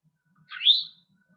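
An Eastern Towhee gives a single buzzy, rising alarm note, sweeping upward and fading within half a second; nothing else is heard.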